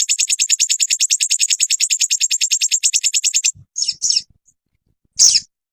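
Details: Ruby-cheeked sunbird (sogon) training recording for caged birds. A fast, even high trill runs for over three seconds, then breaks into a few short, sharp chirps separated by silence.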